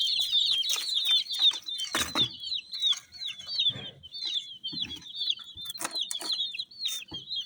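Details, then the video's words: A flock of colourful dyed chicks chirping nonstop, their shrill falling peeps packed closely together, with occasional bumps and rustles in the background. ""Chicks Chirping" Sound"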